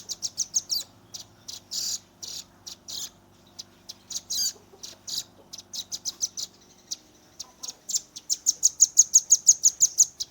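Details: Velvet-fronted nuthatch youngster delivering rapid 'tembakan' song: dense clusters of high, hard chips and buzzy bursts, then a clean accelerating trill of about fifteen ringing notes at the end.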